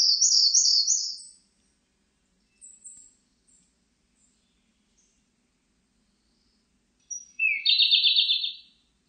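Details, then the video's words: Siberian blue robin song: a loud, rapid, high trill of repeated notes, a few faint thin high notes, then thin high introductory pips leading into a second fast rolling trill. "쇠유리새, 여러번 듣기, 곤충소리, 새소리"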